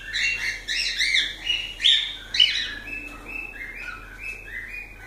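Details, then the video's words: Cockatiels chirping in a fast series of bright notes, then settling into a row of even, evenly spaced whistled tones. "Calopsitas Live de Agradecimento aos 500 Novos Inscritos Canto dos pássaros ASMR"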